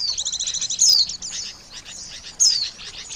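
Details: Trapping lure of white-eyes: quick high chirping series, then two clear descending whistles about one and a half seconds apart over softer twittering.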